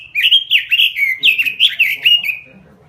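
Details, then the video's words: Vigorously singing robin kept by Indonesian songbird fans: a quick, rich warble of about ten bouncing whistled notes, rising and dipping, that ends in a drawn-out slurred whistle and then quiet. "SUARA BURUNG ROBIN GACOR"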